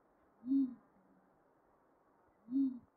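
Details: Pigeon giving two short, low, hollow coos about two seconds apart, each soft and rounded with a brief swell, over a faint steady background hiss.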